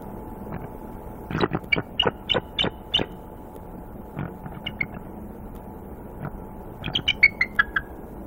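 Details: Nesting female bald eagle, guarding her eggs on a bitter -2 °F night after an owl swoops in and knocks into her, gives a rapid series of sharp piping chirps, a quieter pair, then a falling staccato chatter.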